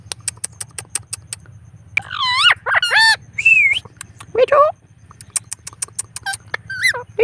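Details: On an evening walk, a pet blue Indian Ringneck parrot talks in a run of bent, harmonic, voice-like syllables lasting about three seconds, followed by shorter whistled notes, with ticking clicks and a steady low hum throughout.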